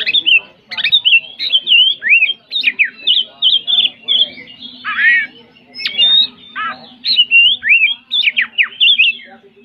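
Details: Tretes-type Oriental magpie-robin (kacer) in loud, nonstop 'ngeplong gacor ngobra' singing style: rapid run of bright whistled and squawky notes, sharp upslurs and downslurs, phrases packed tightly across ten seconds, with faint background hum.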